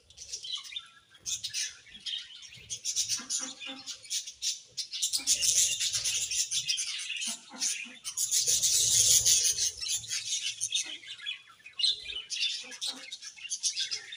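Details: A colony of budgerigars chirping, described as happy: dense, overlapping high chatter and warbling, thickest in two loud bursts near the middle, with brief quieter gaps and faint low knocks beneath.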